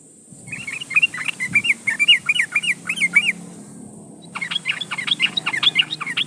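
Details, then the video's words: Yellow-vented bulbul singing loudly while calling a rival, played as a lure to make other bulbuls sing: a fast run of bright, bubbly, warbled notes, a brief break, then another lively chattering burst. "SUARA trucukan gacor memanggil lawan Pancingan trucukan agar bunyi"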